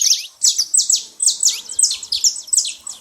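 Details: Excited saffron finch calls at a feeding place: bright, shrill chirps in short rapid bursts, each note sliding downward, repeated in quick succession.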